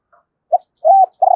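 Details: Spotted dove used as a decoy for wild doves, giving a fragment of its call: a short low hoot followed by two sustained, mellow coo notes.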